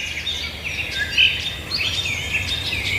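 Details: Birds singing outdoors: a busy mix of high, thin chirps and short sweeping whistles overlapping one another, with a steady low rumble of background noise underneath.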